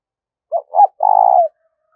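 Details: Spotted dove with 'gáy thúc' and 'gáy gọi' calls, meant to stir up decoy birds: a soft clipped coo, a slightly higher second coo, then a half-second trilling coo that slides down at the finish.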